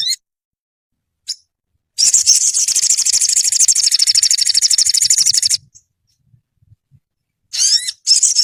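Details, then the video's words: Olive-backed sunbird song used to train caged birds: brief high chip, then about three and a half seconds of a rapid, even, very high-pitched trill, followed after a pause by more sharp rising notes. "Dalam hitungan menit burung sogonmu ikutan gacor dan ngeleper"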